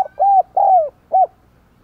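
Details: Spotted dove kept as a decoy, 'giọng đồng còi' voice, calling to attract wild doves. A single close, mellow phrase: a short note, a sustained level coo, a longer falling coo and a brief closing hoot.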